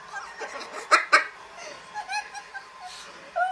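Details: A macaw sitting on its owner's arms screams repeatedly: two loud, harsh screeches in quick succession, with softer raspy squawks and chuckling notes before and after.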